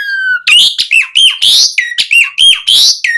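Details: Asian pied starling singing to encourage other caged starlings to sing: a steady flow of loud, varied whistles, some rising and some dipping, with almost no pauses.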